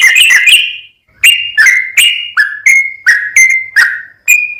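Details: Sooty-headed bulbul in non-stop 'gacor full ropel' tutor song meant to rouse other bulbuls: clear whistled notes, some rising, others dipping, given singly about every half second after a brief opening flourish.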